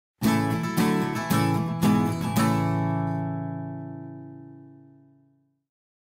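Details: Acoustic guitar strummed in a few bright chords, with the final chord left to ring and fade slowly into silence. No birdsong or other animal voice is heard.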